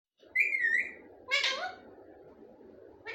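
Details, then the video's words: Pet parrot, a talking bird, giving a short wavering whistled note followed by a harsh raspy squawk, with another squawk starting at the end, over a steady low hum of background noise. "Talking Parrot | Ye Tota Sab Kch Bolta Hai"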